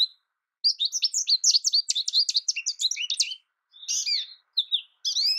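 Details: Rapid, nearly continuous twittering of an American goldfinch for about three seconds, high sweet notes tumbling together, followed by a few drawn-out, wavering whistled notes with pauses between.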